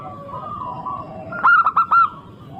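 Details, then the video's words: Local zebra dove singing briskly for use as a lure: soft background coos give way to one loud phrase of four quick, bell-like coos, over low rumbling noise. "Pancingan super ampuh untuk semua jenis burung perkutut."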